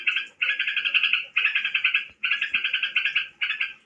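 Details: Song of a tame crokcokan: rapid, scratchy, rattling chatter in phrases of about one second. Each phrase pulses several times and stops short before the next begins. There is a faint tap in the background.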